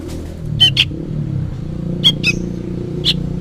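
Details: Juvenile sooty-headed bulbul calling noisily as if for its parent: a few short, sharp chips, some in quick pairs, scattered over a steady low rumble like passing traffic.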